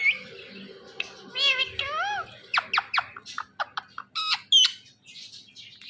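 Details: Pet ringneck parrot indoors, talking while watching itself in a phone: meow-like harmonic wails mixed with sharp, rapid squawks and clipped chatter, building to loud piercing notes near the end.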